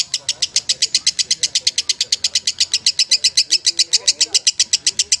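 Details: Champion lovebird chattering continuously in quick, sharp, high chirps, about eight per second, over low murmuring human voices in the background.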